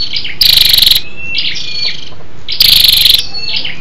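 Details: Female scarlet-backed flowerpecker calling to stir up males: two strong, rasping rattle bursts roughly two seconds apart, separated by soft, high, slurred whistled notes.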